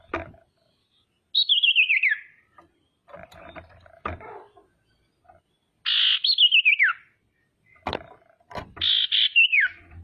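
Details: Female common iora calling as a lure to make rivals sing and become aggressive: three long descending whistled trills, the later two starting buzzy, with knocks and clattering between them.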